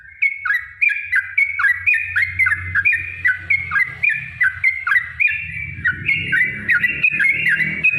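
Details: Yellow-vented bulbul pouring out a long rapid song that provokes rival bulbuls to sing; fast bubbly whistled notes in an unbroken string, with a low hum and rising background noise later on.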